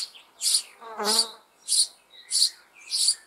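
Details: Spring begging from sparrow chicks in an old apple tree hollow as parents bring food: harsh high chirps pulsing about every half second, overlapped near one second by a low buzzing insect-like drone.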